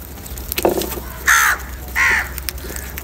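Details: Crow eating salty food and other food, giving two loud, harsh caws about two-thirds of a second apart, after a quieter note, against a constant low rumble.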